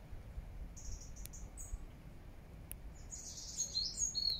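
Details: Birds singing in Regent's Park, London, in September 2024: a few thin, very high twittering notes near the start, then a denser burst of sharp squeaky chirps in the last second and a half, over a steady low rumble and occasional clicks.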